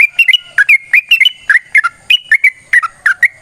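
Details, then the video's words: Yellow-vented bulbul in a long fighting song that provokes other birds to reply: quick bubbly whistles, rising and falling, delivered in an even rhythm of about four notes a second. "TRUCUKAN GACOR TARUNG ROPEL PANJANG"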